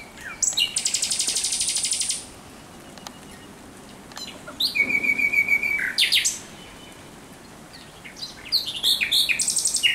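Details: Thrush nightingale night song recorded 17 May 2023: a dense, buzzy, grinding trill, a pause, then a phrase with a sustained whistled note and rapid rattles, and a final clicking burst.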